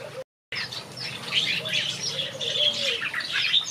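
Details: Several finches singing in a backyard aviary: a dense, busy chorus of high, thin chirps and short twittering notes overlapping continuously, with a brief gap near the start and a faint low hum beneath.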